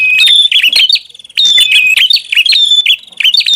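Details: Lure call of a prinia, noisy type. Sharp high chirps and a piping whistle come in quick clusters with a short dip between them.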